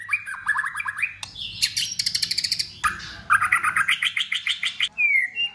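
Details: A white-rumped shama sings hard in competition, flicking its tail and changing voices. It gives rising stepped notes, fast metallic repeated trills in two runs split by a sharp crack, and ends on a smooth whistle.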